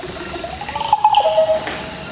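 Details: A Green Oropendola in the Amazon rainforest gives a very loud call of liquid, gurgling notes with a thin rising whistle over about two seconds, against a steady high insect drone.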